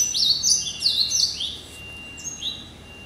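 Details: A hybrid finch, Yellow-eyed canary × Timbrado canary cross hatched in November 2012, sings a rapid, high, twittering song of sweeping whistled notes and trills, strongest in the first second and a half, then softer phrases.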